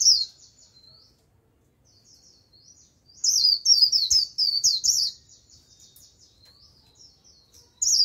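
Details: White-eye decoy singing to draw in a wild flock: soft, thin high trills, then a two-second outburst of rapid sharp warbling and chatter, fading to quiet trills before a final burst.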